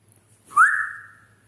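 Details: Grey parrot in Dhaka, Bangladesh giving a single clear whistle that rises sharply, then holds a steady, slightly falling tone for about half a second before fading out; a low hum runs underneath.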